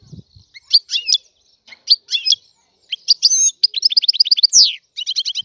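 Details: European goldfinch of the Algerian type giving scattered twittering chirps, then a quicker series of trills and a falling buzzy note, with a faint low thump at the start.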